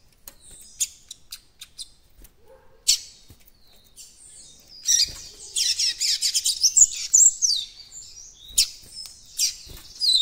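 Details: Juvenile White-throated Seedeater developing its encarte song: sparse thin ticks first, then a dense, jumbled stretch of high twittering and chirps before tapering off.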